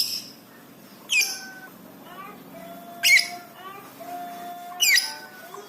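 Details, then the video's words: Excited lovebird used as training material for pet birds: three loud, harsh, sweeping chirps spaced about two seconds apart over soft, low, drawn-out whistles from other birds. "love bird gacor cepat respon emosi memuncak"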